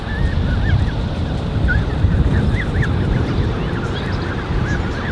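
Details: A crèche of 30+ Canada goose goslings (34 counted), 13 June 2015, peeping nonstop, thin high notes that swoop up and down and overlap, over a steady low rumble of wind.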